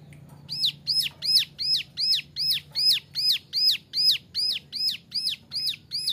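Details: Young male ciblek gunung (Bar-winged Prinia) used as a master recording for training other birds, singing 'nembak variasi': an unbroken run of about fourteen high, ringing, hooked notes at a brisk, even rate.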